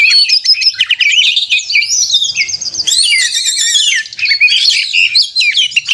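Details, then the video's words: Oriental magpie-robin delivering combative 'narung' song to stir rivals; bright whistles and rolling trills, a brief quieter dip midway, then renewed rapid twittering phrases. "suara burung kacer gacor narung ini AMPUH buat pancingan KACER agar bunyi AUTO emosi kacer buka ekor"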